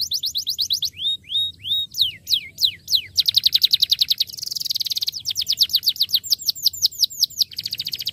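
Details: Starblue canary song meant to set other canaries singing: spaced swept whistles, then dense fast buzzy trills and quick repeated downslurred notes, a varied rolling delivery.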